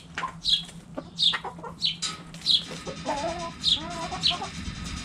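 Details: Backyard chickens, hens clucking: clear high chirps in a steady series about every half second to second, followed by soft tonal clucks, with a faint low hum.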